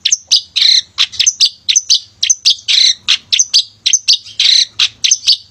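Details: Actively singing male long-tailed shrike, a lure for shrikes reluctant to sing: rapid run of high, sharp chirps and brief harsher notes in quick succession, steady and loud.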